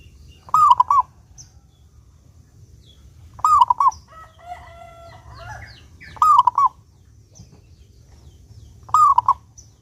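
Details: Zebra dove of a local strain singing steadily with a clear voice, as a lure for doves: four cooing phrases repeated roughly every three seconds, each a long note and two clipped coos, with faint twittering of other birds between.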